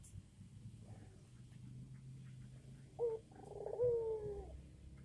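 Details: Tame Barbary dove calling actively. After about three seconds of low background rumble, a soft low coo starts with a short note, then a longer rolling note that ends in a drawn-out, slightly falling tone.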